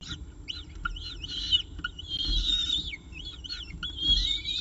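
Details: Morning at the CSU Orange peregrine falcon nest, 24 October 2018, a pigeon brought as prey; rapid series of arched, squealing notes and drawn-out whistles, some rising sharply, over a low background hum.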